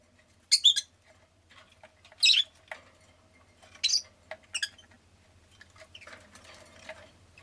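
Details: Rosy-faced lovebird giving sharp, high, harsh chirps in scattered clusters, about two bursts per second-pair, with pauses between; a low steady hum runs underneath, with street sounds from traffic in the background.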